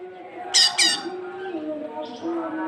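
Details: Cucak kinoi in a training recording used to coax young birds into singing: two short, harsh, rasping squawks close together, with a faint steady low drone underneath.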